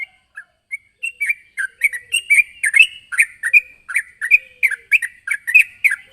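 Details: Sooty-headed bulbul summoning a rival, starting with scattered single notes that build into a fast, busy run of bright chirps and slurred whistles.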